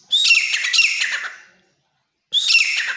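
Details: Captive Grey francolin, a wild-caught jungle bird raised at home, gives a strident, raspy call of about one and a half seconds. After a pause, another call begins.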